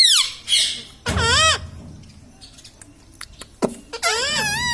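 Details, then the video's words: Indoor pet ring-necked parrot, said to speak mummy, papa and radhe radhe, lets out loud, wobbling harmonic squawks with looping pitch bends in two bursts, separated by a quiet gap with faint clicks. "parrot talking mithu ||tag name parrot voice||"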